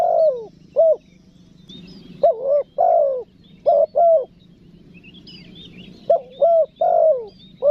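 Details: Calling spotted dove, 'nekan nguku' pressing style meant to draw forest birds in: repeated groups of low, rounded coos, each group a short note, a longer drawn-out note and a brief final note, with faint distant twittering.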